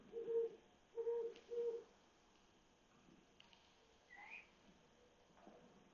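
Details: Owl perched on an electric pole at 1:00 am on 27 July 2021 in Mount Washington, Cypress Park and Glassell Park: three low, short hoots in the first two seconds, then quiet with a faint higher note from another night bird.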